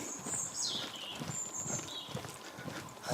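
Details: Common blackbirds singing in the dark before dawn, around 6:45 on the way to work in Midhurst, West Sussex; thin, high whistled phrases slide downward and repeat, over soft footsteps and quiet outdoor background.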